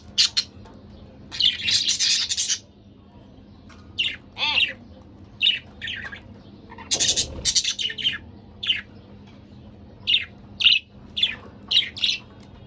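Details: A couple of pet budgerigars chattering: long buzzy, grating bursts mixed with quick sharp chirps and short warbles, coming in irregular runs with brief quiet gaps.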